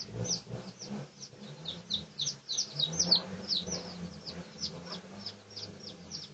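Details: Red junglefowl of Pradu colouring, recorded for research on 18 August 2023: quick, uneven high-pitched peeps and chirps, around three per second, over a steady low droning hum.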